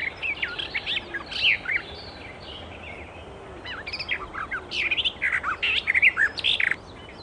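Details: Wild Icterine warbler song, loud and varied: squeaky whistles, quick downslurred chirps and harsher chattering notes follow each other rapidly, with a busier, denser phrase in the second half.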